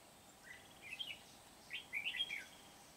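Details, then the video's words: Red-whiskered bulbul, a wild-caught bird from Kim Bôi used for trapping, singing very energetically on 8 September 2019: two short warbled phrases of quick, slurred chirpy notes about a second apart, over a quiet steady background hiss. "Bẫy chào mào Bổi Kim Bôi - HB quá sung"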